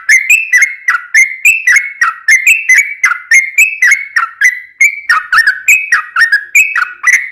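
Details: Energetic song of a yellow-vented bulbul, played to lure other birds: a steady chain of liquid two-part phrases, each step up then down, repeating about four times per second.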